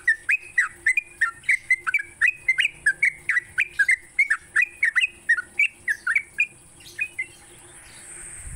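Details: Morning sooty-headed bulbul song for training cage birds: quick chain of liquid, slurred whistles, roughly three or four notes a second, tailing off near the end into a soft rustling hiss.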